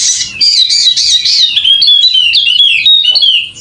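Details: Endemic Wallacean white-eye, golden-headed form, from Sumbawa, singing: a clean, continuous run of high, thin, wavering whistles and twitters that slide gently downward, with little background.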